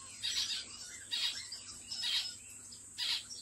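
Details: Pet zebra finch giving four short, harsh, nasal calls spaced under a second apart, each a burst of broad buzzy sound, over a steady high electronic whine and low hum.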